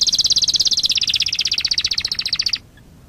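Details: Canary singing to tutor young canaries: a rapid, evenly pulsed trill of about forty notes that steps down slightly in pitch midway, ending abruptly after two and a half seconds.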